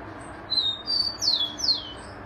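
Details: Rufous-collared sparrow delivers its phrase of thin level whistles followed by two strong downward-sliding whistles, with faint hiss behind.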